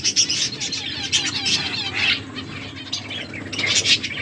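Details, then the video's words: Feeding finches keep up a continuous busy twitter of high, quick chirps and short trills from many birds at once, with low background rumble. "Beautiful finches eating food birds chirping sounds"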